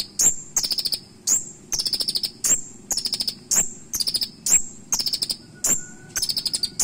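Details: Olive-backed sunbird (Leptocoma sperata) sings sharp, high, piercing "shooting" notes, each followed by rapid buzzy trills, repeated roughly every half second; a tutor song for training other birds, said to carry mimicked cililin notes.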